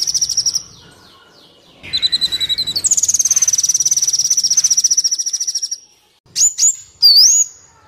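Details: Sunbird song for training captive birds and attracting wild ones. A pulsing high trill, then a long rapid buzzy trill lasting several seconds, ending with a few sharp high whistles, one dipping steeply.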